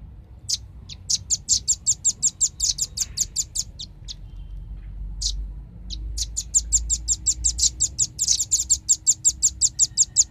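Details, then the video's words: Velvet-fronted nuthatch, noisy lure recording to attract birds: long rapid trains of sharp high chips, a short gap with a few lone notes, then another extended fast series. "suara pikat burung rambatan ribut suara jernih paling ampuh"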